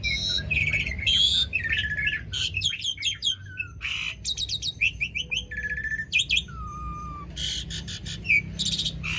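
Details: Long rolling Asian pied starling song used to get silent starlings singing, mixing harsh chattering bursts, warbled phrases and clear level whistles, some steady whistles held for almost a second.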